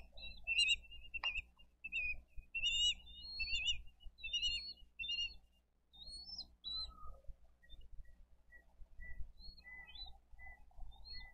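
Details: Bald eagle nest at Dade County, 22 April 2023, parents bringing fish to feed eaglets: rapid high chirps and twittering whistles at first, thinning to sparse single piping notes later, against gusty wind.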